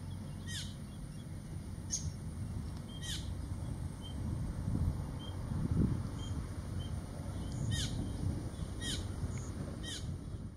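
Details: Common Greenshank on Halmahera, North Maluku, Indonesia, giving short, clear, high notes every second or two, some in quick pairs, over a steady low rumble of wind or distant traffic.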